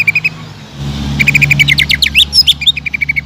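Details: Greater green leafbird in short lively bursts: brief pulsed notes, then a tumble of rising whistled slurs and chips, over a low engine-like hum; fiery cucak ijo song played to provoke other birds.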